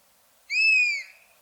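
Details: Buzzard giving a single drawn-out whistled mew, about half a second long, clear and pure with a slight arch and a falling tail, against an otherwise silent background.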